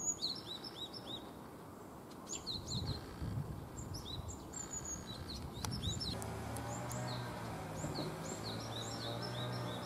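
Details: Japanese tits recorded after fledging from a nest box, in woodland, give many short, high chirps in quick, overlapping bursts, over a steady low rumble with a faint hum in the second half.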